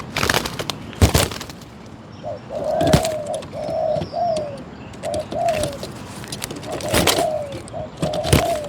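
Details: Spotted dove calling from a decoy trap, in phrases of short, low hollow coos, some rising then falling, in groups of two to four, separated by pauses. Sharp knocks and clicks throughout, with faint other birds chirping in the background.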